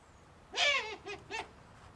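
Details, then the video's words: Captive owl at a screech owl sanctuary in Cornwall, UK, making a strange noise: one loud harsh rasping screech followed by two shorter raspy notes in quick succession, a person exclaiming just after. "owl making very strange noises"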